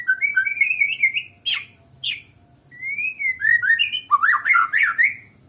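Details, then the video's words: Medan-type white-rumped shama singing with no opponent present, giving fluid whistled warbles broken by two harsh rasping notes, then rising and falling slurred phrases that end in a loud, jumbled flourish. "KICAUAN BURUNG MURAI BATU MEDAN TANPA LAWAN"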